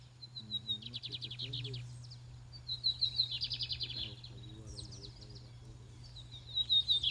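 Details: Lined seedeater singing at a songbird tournament: high, rapid buzzy chattering phrases with short pauses between them. People talk quietly underneath, and a steady low hum runs throughout.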